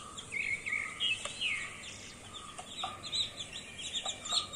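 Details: Several newborn chicks chirp at once, giving irregular, overlapping high peeps and short trills. A few sharper clicks and faint lower notes sit beneath the busy chatter.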